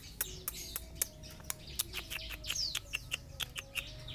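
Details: Sapudi long-tailed shrike singing a busy mix of sharp clicks and short chirped notes, several rising and falling twitters at mid-high pitch repeated in quick irregular bursts, over faint background hum.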